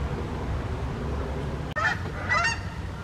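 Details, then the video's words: Two short honks from wild Canada geese in flight on a morning in the USA, spaced about half a second apart over a constant low background hum. "Canada Wild Geese flying in the morning - USA"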